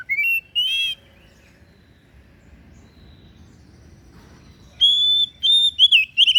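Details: Oriental magpie-robin song in the kacer daput style: two brief rising whistles, a long quiet gap, then a fresh phrase of steady whistles breaking into fast slurred notes.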